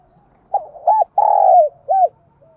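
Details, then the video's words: Decoy spotted dove giving urging and calling coos used to stimulate other doves: one phrase of low, hollow hooting notes, two short coos, a long drawn middle note, then a final coo, on a quiet background. "Tiếng Chim Cu Mồi Gáy Thúc và Gáy Gọi Dùng Kích Bổi Mỗi Ngày"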